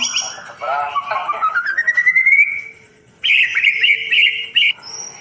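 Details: White-rumped shama song as a tutor for birds that stopped singing: a long slowly rising warbled whistle, a short pause, then a bright rapid trill.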